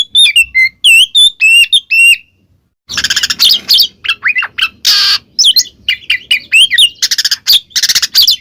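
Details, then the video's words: Oriental magpie-robin singing ngeplong, a lure for a silent bird: a string of pure looping whistles, a brief pause, then a rich rapid medley of chirps, harsh buzzy notes and swooping whistles. "suara burung Kacer NGEPLONG kacer bisu pasti langsung nyaut seketika"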